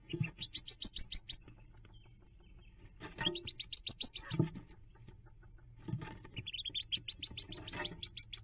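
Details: Young hooded mergansers jumping from their nest on 5 May 2024: three bursts of fast, thin piping separated by short quiet spells, with occasional low thuds and rustles.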